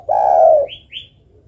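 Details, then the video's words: Female spotted dove calling the male: one long, smooth, sustained coo, followed by two brief high thin chirps. "Suara burung derkuku betina memanggil jantan."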